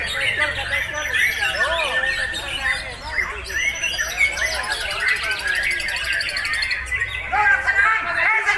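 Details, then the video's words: White-rumped shama, a breeding bird kept in captivity, singing without pause: a rapid jumble of varied whistled and chattering phrases, with a man talking loudly over the song throughout. "MB GUENALI NEMBAK TANPA JEDA"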